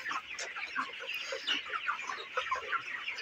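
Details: Broiler chickens, 29 days old, on a poultry farm: a dense flock chorus of short overlapping peeps and clucks, some rising chirps standing out every half second or so over a steady hiss of many birds.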